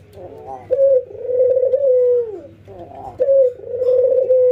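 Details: Ringneck doves, albino white versus local, nodding and laughing in routine training; a jerky chuckle, then a sharp note opening a long throaty coo that bends down, followed by another chuckle and a fresh coo.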